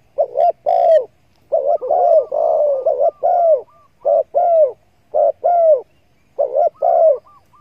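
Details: Hunting lure of spotted doves calling: a rapid string of soft, throaty coos, some notes running together into longer rolling phrases, then shorter paired coos after brief gaps, in clean quiet surroundings.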